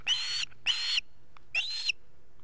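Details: Osprey chicks at the nest in Estonia, 8 August 2018, all young at home: three loud whistled calls, each about half a second, rising then levelling with a slight upward flick at the end, spaced roughly half a second apart, with a faint low hum beneath.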